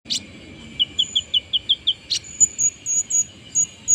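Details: Brown-throated sunbird singing after its moult, in the steady 'nagen' style: a run of seven short, even chirps repeated about every fifth of a second, framed by sharp high notes, over a constant high insect-like hum.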